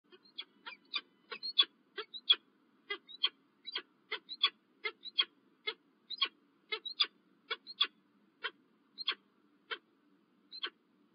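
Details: Peregrine falcon calling in the morning at Illkirch-Graffenstaden, France, on 27 January 2023: a long run of harsh, clipped notes repeated two or three times a second, some with thin high whistled tails, over a faint low hum.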